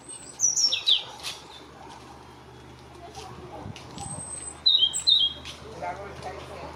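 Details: A European robin in Tafira, Gran Canaria, in August 2022 sings two brief, high, thin phrases of sliding, tinkling notes separated by a long pause, over a faint low background hum.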